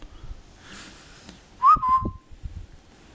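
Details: Short whistled phrase from a 13-year-old pet male cockatiel, a quick rising note that flattens into a brief level tone, with soft knocks and thumps around it and a person coaxing the bird.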